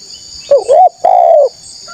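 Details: A loud spotted dove used as a lure for wild doves gives a single phrase: a brief rising, wavering coo, then a longer level coo that slowly falls away, over a thin continuous high hum.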